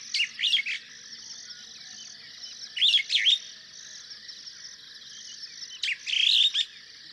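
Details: Superb starling in Kenya, where it is common: three bursts of rapid, jumbled chirps and whistles about every two and a half seconds, set against a constant high-pitched insect-like hum.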